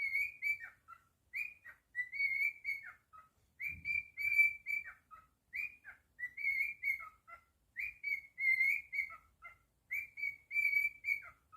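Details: Pet cockatiel whistling indoors, the same short tune repeated about six times, each phrase of level whistled notes ending in a downward slur.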